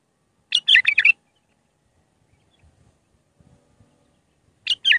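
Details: Raw Iraqi bulbul, Mandali-style song for instructing young bulbuls: a dense half-second burst of warbled chirps, quiet low rustling, then the same burst beginning again near five seconds.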